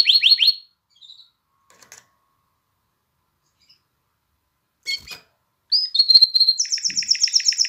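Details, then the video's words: Canary song aimed at exciting females to mate and motivating chicks to sing: three quick downslurred notes, a long near-silent stretch with faint clicks, then a whistle and a fast, high, pulsed trill. "تغريد كناري نار لتهييج الإناث على التزاوج وتحفيز الفراخ على التغريد"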